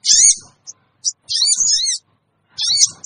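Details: Sooty-headed bulbul scream-like lure call meant to make wild birds gather: shrill, rasping screech phrases, three longer bursts separated by short isolated chips and pauses.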